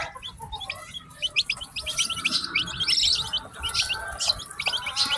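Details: A group of newly hatched chicks calling nonstop, bright high-pitched peeps that drop sharply in pitch, several per second and overlapping, with faint background hum.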